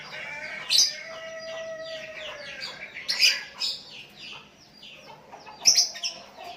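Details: Sooty-headed bulbuls trading calls with a bird calling to a decoy rival: slurred descending whistles and chirps overlap, with loud chirp bursts about every two to three seconds and a long level whistled tone early on.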